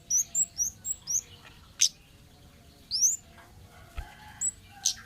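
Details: A wild orange-headed thrush sings for a lure recording: it opens with a rapid string of five or six thin, high notes, then gives scattered sharp chips and a longer rising whistle.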